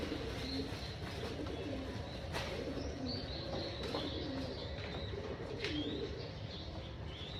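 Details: Rooftop farm pigeons waiting for breakfast, soft low coos repeating through a constant hiss, with thin high chirps of small birds and an occasional sharp tap.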